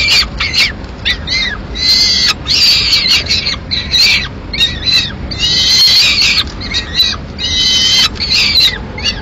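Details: Lone peregrine falcon chick in Madrid, 22 May 2016, demanding the swift the female took; harsher, rasping high cries in irregular bursts over a faint background hum.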